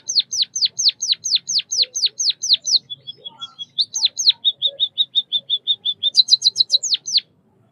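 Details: White-headed munia song, locally pipit emprit bondol kaji: a steady run of about a dozen loud downslurred chirps, a thin trill, more chirps, an even trill of short level notes and a closing cluster of very high notes.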